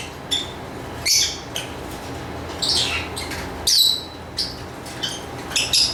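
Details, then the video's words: Lovebird calls scattered across the recording: sharp high squeaks and short raspy squawks separated by gaps of about half a second to a second, against a low background hiss. "Lovebird Chirping Sounds"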